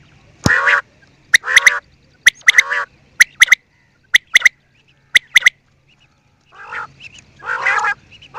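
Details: Quail with a coarse rasping call, then a series of crisp doubled clicking notes spaced under a second apart, ending with two more broad, grating calls.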